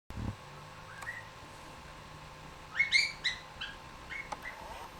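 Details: A pet cockatiel whistles a short burst of bright, rising notes, tapering off into softer chirps.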